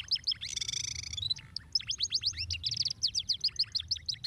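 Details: Canary song meant to stimulate lazy canaries into singing: a fast, high buzzy trill followed by rapid runs of sharp chirping notes that sweep down and up, with a dense rolling passage of repeated notes near the end.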